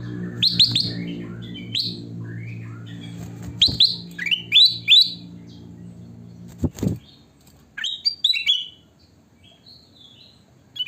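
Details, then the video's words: Sooty-headed bulbul, locally kutilang emas, singing vigorously (gacor): bright, bubbly whistled phrases of two to four quick rising and falling notes, given in bursts with gaps. A steady low humming drone runs through the first half, and there is one sharp knock. "burung kutilang emas gacor"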